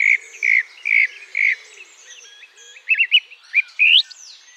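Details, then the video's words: Male song thrush singing in the British countryside to attract a mate and claim territory, pausing to listen for rivals; a clear slurred phrase repeated four times, then a run of quick twisting notes and rising whistles. "the pauses they listen for rivals. This"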